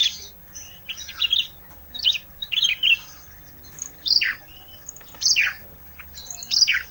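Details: Olive-backed tailorbird in active isian song: irregular bursts of high chirps mixed with falling slurred notes, spaced about a second apart.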